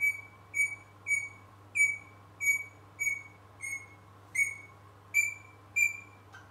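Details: Young pet rosella practising its song indoors: a series of eleven clear, slightly falling whistled notes, each about half a second, repeated roughly every 0.6 seconds, over a faint low hum.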